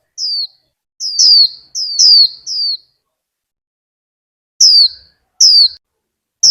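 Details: Quick series of piercing, high, downward-sliding whistles, eight in all, clustered at first, then spaced after a two-second pause, from a female warbling white-eye kept in Vietnam to stimulate the male's líu singing.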